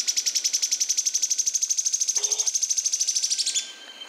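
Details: Yellow-chinned spinetail song: a rapid, steady rattle of high, sharply repeated notes lasting about three and a half seconds, then fading into softer scattered notes.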